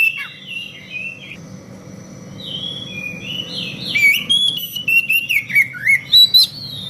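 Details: Morning exchange of Oriental magpie-robin song, the birds answering one another with sweet gliding whistles that build into rapid, pulsed, scratchy notes and quick chirps toward the end, over a faint low hum.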